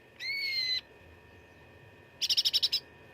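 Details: Cucak ranting giving fighting song for contest-bird training: a steady, slightly falling whistled note lasting over half a second, then after a pause a quick burst of about seven sharp pulsed notes, with a low constant hum behind.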